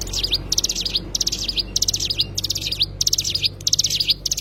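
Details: Loud, bright twittering from a cigun, or Oriental white-eye: high chirpy phrases ending in quick rising flicks, repeated with short gaps across four and a half seconds.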